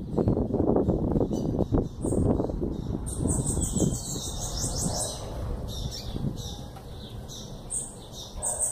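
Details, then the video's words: An 11-month-old young bananaquit singing: high, fast, buzzy trilled phrases start about three seconds in and repeat in short bursts, over loud low rumbling and handling noise. "Sibite filhote com 11 meses dando Chow"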